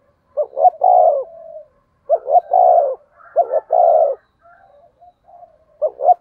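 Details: Spotted dove singing in the 'thổ sấm' style, a recording meant to lure and excite wild doves: three phrases about every one and a half seconds, each a pair of short rising coos and then a long, throaty coo, with faint murmured coos between.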